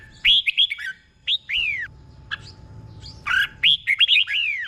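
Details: Tutor song of a caged Red-whiskered bulbul, used to train other caged birds, in the doubled 'beol' style. Rapid chirpy whistles end in a falling slur. A brief note and a pause follow, then another lively phrase.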